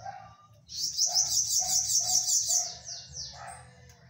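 A bananaquit gives a high, hissing, buzzy trill that ends in a few thin, falling notes.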